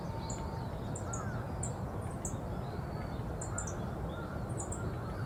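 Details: Wild Yellow-throated bunting at Osaka Castle Park's old heliport, Japan, giving brief sharp high-pitched tsip notes, sometimes doubled, about once a second, over constant low traffic hum and faint distant bird calls.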